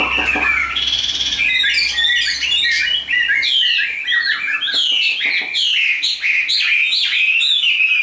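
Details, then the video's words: Chinese hwamei offered for sale, singing a vigorous medley of sharp whistles, quick slurs and chattering notes at full volume, with a faint steady hum indoors. "HM 1505 SIÊU MẪU GIÁNG ĐẸP HÓT TỐT"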